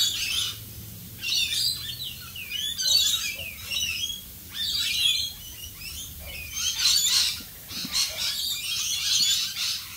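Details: Australian rainbow lorikeets chattering in the rain, a flock's shrill, rasping squeals and chirps arriving in bouts every two seconds or so, with brief quieter gaps and a constant wash of falling rain.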